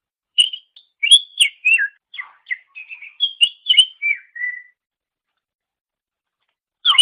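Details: Greater green leafbird song used as a training master for songbirds: a string of separate whistled and chirped notes over four seconds, ending in a falling phrase, then quiet before a sudden loud note.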